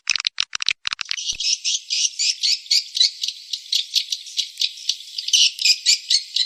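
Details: Swiftlet calling sound used to attract swiftlets: a few sharp clicking chirps, then a continuous high, hissing rattle that pulses about four times a second with an even, mechanical rhythm.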